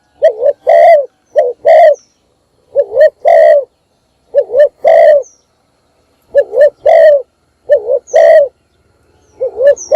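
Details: Decoy spotted dove calling at morning to bring in other birds: steady series of about seven phrases, each a short bouncing coo and a longer, louder coo, spaced roughly a second apart, heavily loud, no other sounds.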